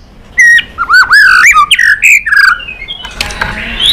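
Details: White-rumped shama vocalising, used to rouse other shamas to sing: harsh, squawky rising and falling notes with a slurred whistle, in a close, room-like setting.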